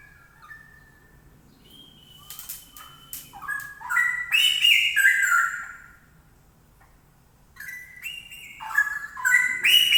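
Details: Straw-headed bulbul delivering loud, gurgling warbled song in two bursts: a few thin whistles lead into a rolling, rising-and-falling phrase, then a few seconds of quiet, then another rich bubbling outburst.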